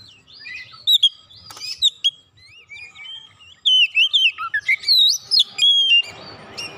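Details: Provoked Oriental magpie-robin, agitated and pouring out its isian phrases: scattered whistled notes first, then a dense, rapid run of varied sweeping whistles and chips, ending in a brief harsh rasp.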